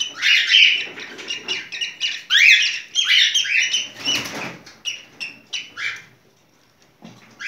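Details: Dense cockatiel mating song with rapid buzzy warbles, a rising whistled sweep, and a burst of wing-like fluttering noise midway before the phrases thin out into short chirps.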